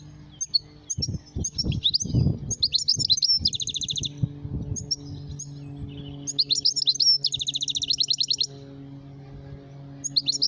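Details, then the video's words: Goldfinch calling in 2018: bright, liquid twittering phrases mixed with quick buzzy trills in bursts every few seconds, over low background rumbling and knocks. "Goldfinch calling"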